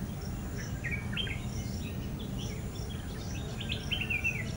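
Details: Flame-throated bulbul calling at End Point, Manipal: short warbled, slurred notes in small bursts, quieter early on and fuller near the end, over a steady low rumbling background.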